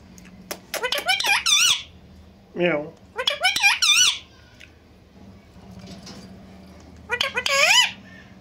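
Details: Indian ringneck parakeets, a talking pair, speaking in Urdu and Hindi: quick squeaky word-like syllables, a lower rough phrase, more wavering speech bursts, then a final high warbling run, with a low room hum underneath.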